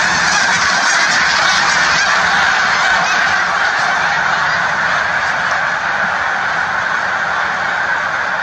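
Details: A flying flock of snow geese producing a continuous wall of overlapping honks and barking calls, with no breaks in the chorus across the recording.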